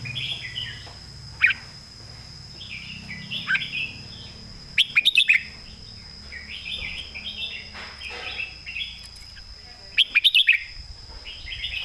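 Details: Red-whiskered bulbul singing loudly in the southern master song style: short warbled, whistled phrases with sharp clipped note bursts near 5 and 10 seconds, over a steady high whine and low background rumble.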